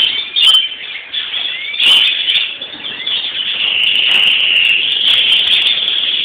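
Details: European greenfinches singing on Florii, Palm Sunday: rapid twittering trills and wheezy slurred notes form a continuous bright chatter, growing steadier and fuller in the second half, with occasional wing flutters.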